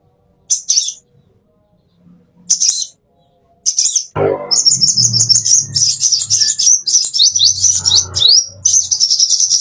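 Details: Caged plain-throated sunbird (konin or kolibri) master song for training birds: two short high twittered phrases, then a long rapid run of sharp, very high chips and slurred notes rattling on for over five seconds, with faint low background rumble.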